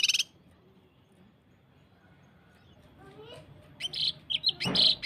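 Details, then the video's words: Cucak kinoi (Common Iora) training song in the close-fire 'tembakan rapat' variation, meant to prompt singing: a clipped buzzy burst, a pause, then a rapid flurry of sharp high chirps and chattering notes. "Masteran cucak kinoi tembakan s4d1s tembakan rapat | pancingan cucak kinoi"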